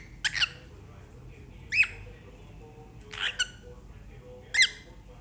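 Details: A caged-sounding cockatiel repeats short screechy chirps, some doubled in quick pairs, each with a quick pitch bend and rich harmonics, about four bursts over five seconds against a faint background hum.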